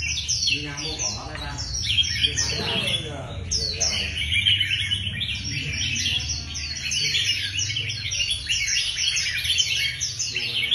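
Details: Several caged red-whiskered bulbuls sing together during contest training. Rapid, sweet, chattering phrases overlap without pause, and faint murmuring voices sit underneath at the start.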